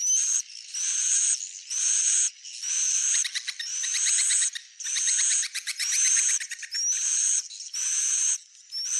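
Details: Swiftlet, said to be genuine: rasping high buzzy phrases about once a second, each carrying a thin rising whistle, with quick rattling click trains in the middle of the sequence.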